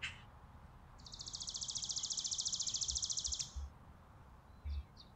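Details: Chickadees feeding on a porch on a farm in winter, December 2022; a single long, fast, buzzy high-pitched series of rapidly repeated notes lasting over two seconds, then a couple of short faint chips and low thumps.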